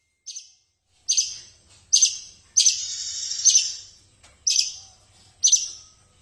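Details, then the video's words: Song of a long-tailed shrike kept as a fighting bird: scattered harsh, scratchy high chirps and a longer rasping buzz, delivered in uneven bursts about once a second. "Spek petarung Burung cendet asli gacor"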